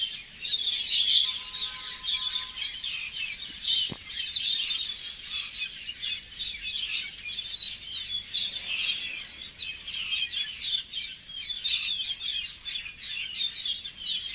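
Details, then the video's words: Tweeting birds outside, a steady busy chorus of high, thin chirps and trills throughout, with a brief faint low tone early on and a single click near the fourth second. "I heard a Bird tweeting"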